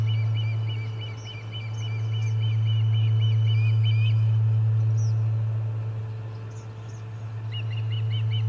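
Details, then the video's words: Charlo nest Ospreys during a fish delivery on 30 July 2020 give a fast burst of sharp whistled chirps, pause through a stretch of hum and scattered small-bird notes, then start a new rapid chirping burst. "Lots of Commotion and a Fish Delivery - Charlo Osprey Nest"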